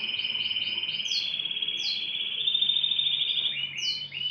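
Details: Morning canary song, loud and close: a sustained rolling trill held steady, with sharp high downward-sweeping notes dropped in at intervals and a brief change of tone near the end.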